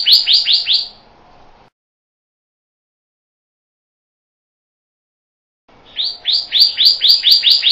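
Pyrrhuloxia singing a quick run of clear, slurred whistles, four at first and then about seven more after a silent gap, each note sweeping down.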